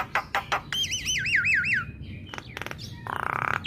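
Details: Female Black-winged starling singing to make other starlings respond: a fast wavering, yodel-like whistle repeated about five times, framed by harsh clicks and a buzzy rattle.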